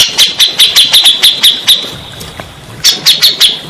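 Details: Grey-cheeked bulbul used as therapy for stressed birds: a run of about nine sharp, high notes, a pause of over a second, then four more.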